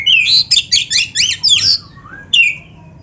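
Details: Oriental magpie-robin of the black-breasted form in loud, rapid song meant to spur caged birds: a fast burst of high, scratchy repeated notes, then two soft falling whistles and one more short high phrase.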